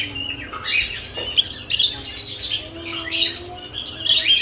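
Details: Pet lovebirds busy at freshly added nest boxes, a flurry of scratchy high chirps and squawky notes overlapping in irregular bursts over a faint low room hum.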